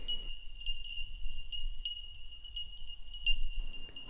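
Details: A large colony of Bell Miners high in the canopy on the eastern slopes of the Great Dividing Range, heard from a roadside stop while climbing in altitude, give pure bell-like 'tink' notes overlapping into a ringing chorus, single pings about every half second, over low rumble.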